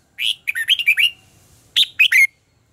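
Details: Contest-style song of a red-whiskered bulbul for training birds: a rapid rolling run of about six warbled notes, a brief pause, then a punchy three-note phrase closing on a ringing whistle.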